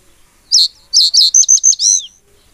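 Common reed bunting giving a short, jerky song: a few high, clipped chirps, then a quick run of notes ending in a thin slurred buzz, all over in about 1.5 seconds.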